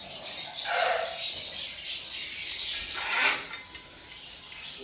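A citron-crested cockatoo gives two long, harsh, rasping screeches about two seconds apart, followed by a few sharp clicks and knocks.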